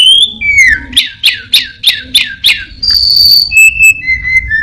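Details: Orange-headed thrush singing with imitations of other birds: a falling whistle, then a series of five sharp downswept chips, followed by steady high whistled tones stepping lower.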